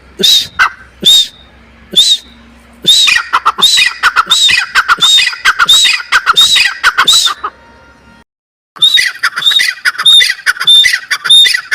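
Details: Partridge (teetar) calling: scattered single harsh notes, then dense runs of raspy squawks with short whistled notes, a brief silence, and another fast burst.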